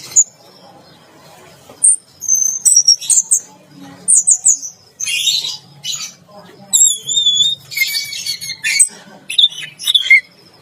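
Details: Orange-headed thrush in a bath cage, singing energetically ('teler gacor') while bathing. Rapid strings of high whistles, slurred rising and falling notes and scratchy chatter come in separate bursts, with a faint low hum behind.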